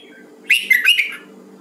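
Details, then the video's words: A Hue red-whiskered bulbul in voice training gives a brief, rich warbled phrase of liquid whistled notes that rise and dip, lasting about half a second, over a low steady hum. "Luyện giọng chào mào"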